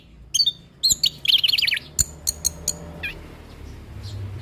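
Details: Orange-headed thrush (anis kembang), a settled singer used as a tutor for young birds, gives a quick burst of high chirps and a rapid trilled run, then several sharp separated notes over faint low background hum.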